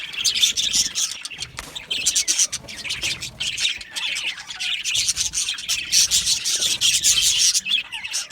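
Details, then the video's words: Colony of Australian budgerigars chirping happily in an aviary; unbroken scratchy warbling and twittering from many birds, punctuated by louder squawks every second or so. "Happy Budgies Sounds | Budgies Chirping Sounds | happy Budgie sounds for lonely Budgie birds"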